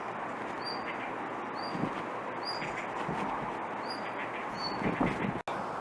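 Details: Blue rock thrush giving repeated calls instead of a pretty song: five brief, thin, high whistled notes roughly every second, heard through constant heavy background hiss, with a sharp click near the end.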